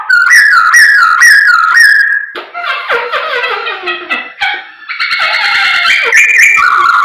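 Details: Energetic Chinese hwamei song aimed at provoking other birds: a run of repeated upslurred whistles, followed by dense buzzy warbling, then a loud sustained ringing phrase and closing whistles.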